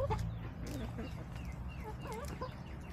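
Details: Backyard hens, March 18, 2024, given a meal of leftovers, fries, Mexican food and spinach. Soft, scattered clucks and short curving, bent calls over a steady low hum, with faint voices.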